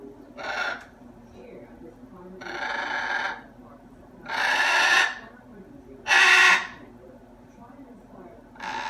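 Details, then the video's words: Indoor pet macaw in a talkative mood produces five loud, rough, broadband vocal bursts roughly every one and a half seconds, each under a second, over a quiet room background. "Talking Parrot"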